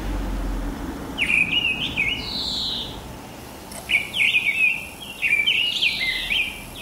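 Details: Morning song of a mistle thrush recorded in March or April 2010, clear fluting phrases in quick groups separated by pauses of a second or two, faint low rumble underneath.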